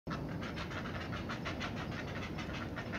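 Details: Noisy heron chicks begging while a parent feeds them at the nest: a rapid, steady chattering of harsh clucking pulses, about six a second, over constant broadband background noise.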